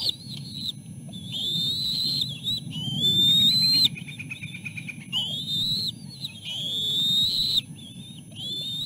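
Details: Three bald eagle eaglets at the nest as their mother delivers food and the smallest pushes forward to eat: long, high whistled squeals that slide upward, repeated in bursts, with a faint chattering series midway.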